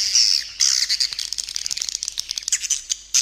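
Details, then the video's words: Edible-nest swiftlet calling sound used as a lure for swiftlets, partly including a roosting sound: a long high buzzy chatter, then rapid clicking twitters that fade before a final burst. "Suara Panggil Burung Walet"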